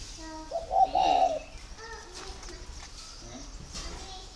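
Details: Spotted dove kept at a dove-breeding garden in Vân Hòa, Ba Vì, Vietnam, calling as a sign of readiness to pair: one loud, low, hummed coo under a second long, then faint softer notes over a steady insect hiss.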